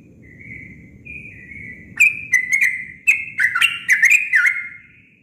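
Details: Sooty-headed bulbul singing naturally, without mimicked phrases: soft level whistled notes at first, then a bubbly run of quick, slurred chirping notes, over a low background rumble.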